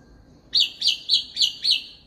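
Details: African grey parrot imitating other birds, giving five sharp high chirps in quick, even succession, about one every quarter second, with a quiet room hum behind.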